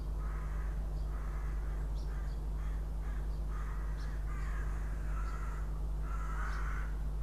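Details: At a Riga nest camera on 6 April 2016, a Northern goshawk guarding its eggs gives about eight harsh, drawn-out nasal notes in quick, irregular succession, roughly two per second, against a steady low hum.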